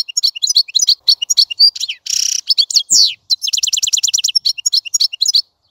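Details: Continuous European goldfinch song of bright, rapid twittering broken by a wheezy buzz and a descending slurred note, then quick trills of repeated chirps.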